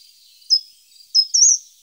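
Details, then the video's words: Short-toed treecreeper (Certhia brachydactyla) giving thin, high, slightly rising notes in a short burst, the last note wavering, over a faint background hiss. "Canto del Agateador común"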